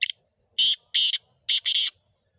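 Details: Black francolin, known locally as kala teeter, in Sindh, Pakistan, giving a harsh, rasping phrase: a clipped opening note followed by four loud, scratchy notes grouped in pairs.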